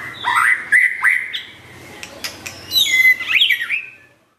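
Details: Curve-tailed white-rumped shama challenging a rival in song: loud, rich whistled notes with sharp clicks in between, then a cascading run of twisting, ringing phrases that fades out.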